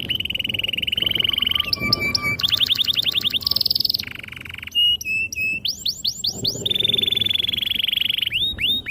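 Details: Long canary song with varied tours, for luring young and silent canaries to sing: steady whistled trills at different pitches, buzzy rattles, a low rolling trill and swooping upward notes.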